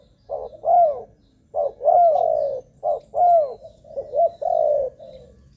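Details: Spotted dove cooing, as used for calling in wild doves: three short phrases of soft, throaty coos, each closing with a longer drawn-out note, in a quiet setting.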